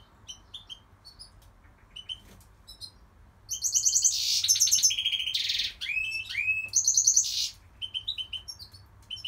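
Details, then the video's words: Goldfinch song: scattered short high chirps build into a dense, liquid twittering run with buzzy trills and rising slurs, then fade back to soft chirps. "Goldfinch singing"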